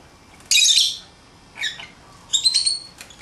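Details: Pet lovebirds loose outside their cage give one long, harsh, rasping screech, then a lower chattering squawk, followed by a rapid stuttering run of high chirps.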